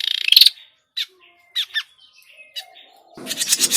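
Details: Grey-cheeked bulbul call played as a trapping lure, noisy: a short chatter, then sharp separate squeaks and a thin whistle, ending in rasping chatter.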